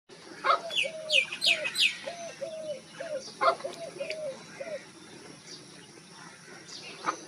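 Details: Wild dove cooing: a run of short, soft, mid-pitched coo notes repeated about every half second, with sharp high chirps from other birds over the first two seconds and a faint background hiss.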